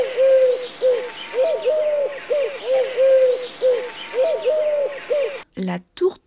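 Eurasian Collared Dove giving soft, hollow, low coos in repeated three-note phrases, the middle note longest, with a brief burst of other sound at the end.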